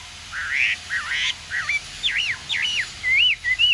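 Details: A Chinese hwamei, said to be pure-bred, sings naturally without a mate as a prompt after bathing: a quick run of loud, slurred whistles, some rising and some looping up and down, about two phrases a second.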